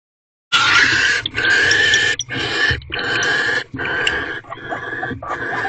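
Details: Wild barn owls at a nest box in a corral on 1 March 2023 at 6:42 pm, on the twelfth night of their mating ritual: about five long, harsh, hissing screeches, some over a second long, separated by short gaps, over a low steady hum.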